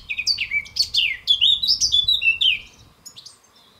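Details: Singing European goldfinch (Carduelis carduelis) delivering a quick, liquid run of bright chirps and slurred twittering notes, densely strung together for about two and a half seconds before a few softer closing chips.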